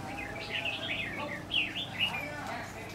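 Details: Red-whiskered bulbul at a trap on 10/9/2019, a large bird repeatedly threatening the decoy: a quick run of chattering, warbled phrases with sharp up-and-down slurred notes, over a low hum and background noise.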